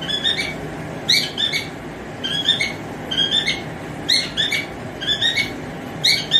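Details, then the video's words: A male cockatiel calls to a female with clustered, sharp, whistled chirps in short bursts roughly every second, some notes rising, over a low indoor background hum. "Cocktail Birds male singing || Cocktail male colling female"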